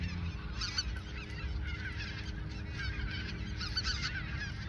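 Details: Geese at the Ochsenmoor nature reserve in autumn 2022, days before migration to the south, call in overlapping waves of honks, louder near the start and end, over low rumble.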